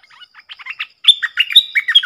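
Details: Streaked bulbul, a wild forest bird described as good-voiced with tonal notes and probably male, recorded as a decoy sound: a quick series of short chirps, then louder clustered, slurred whistled notes in rapid bursts.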